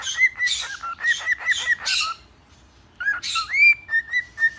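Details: A young male cockatiel perched on a hand sings a run of clear whistled notes broken by short raspy chatter.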